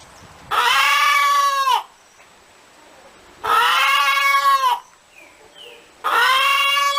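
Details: Chicken cackling: three long, harsh, harmonic notes about every two and a half seconds, each held over a second, with a soft faint chirp heard in one pause.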